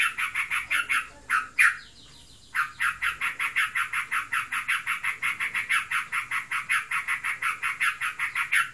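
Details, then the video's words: Yellow-vented bulbul kept as a pet, said to be in heat, delivering a long ngebren stream of harsh pulsed notes at a steady rapid beat, briefly broken by a short pause and a louder note. "Burungku birahi. Ngebren abiss."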